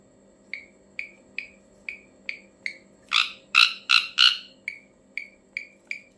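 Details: Ashy drongo giving a strange call: short clipped notes with a downward tail, repeated about three times a second, then a burst of four loud harsh rasping notes, then more short notes. A steady low electrical hum runs underneath.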